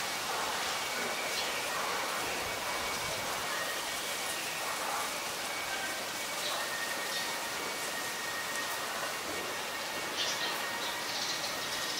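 Steady broadband hiss, like rain or wind noise, with a faint continuous tone and no clear animal calls.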